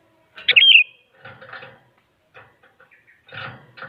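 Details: Sooty-headed bulbul singing to provoke other bulbuls: one loud, bubbly whistled phrase opens, followed by softer scattered chatter, rustling and clattering sounds through the rest.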